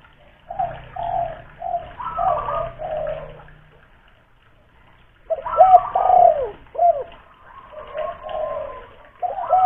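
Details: Big-voiced local spotted dove used as a lure bird in Kuningan, West Java: a run of low mellow coos, then a pause of about two seconds, then a stronger burst of slurred, dropping coo notes.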